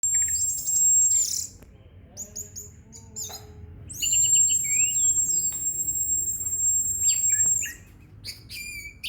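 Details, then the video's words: Orange-headed thrush singing: a thin, steady high whistle held about a second, busy chirps and slurred notes, then a longer level whistle of nearly four seconds, with more scratchy twitters at the end. "Burung Anis merah teler santuy"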